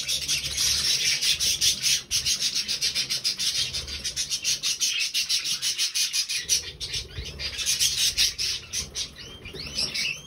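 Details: Three budgerigars on 20 November 2020 produce a long run of rapid, rasping, clicking chatter with a pulsing beat, easing into brief whistled slides near the end.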